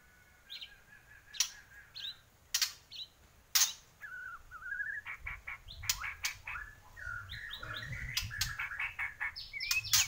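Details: Bornean white-rumped shama singing vigorously: a varied run of clear whistles, quick slurred phrases and sharp clicking snaps that grows denser and more continuous toward the end.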